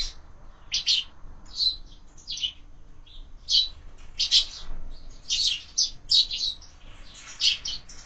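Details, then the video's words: Sparrows at a window-mounted feeder at breakfast, fed year-round; separate high chirps and short twittering bursts, spaced unevenly with brief pauses, several birds calling over quiet background hum. "Воробьи в кормушке - Завтрак"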